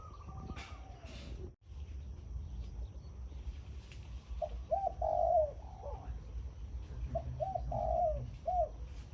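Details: Morning khan yon song of a caged zebra dove kept as a decoy bird: after a brief dropout, two phrases of short, hollow coos around a drawn-out rolling note, with faint chirps of other birds behind.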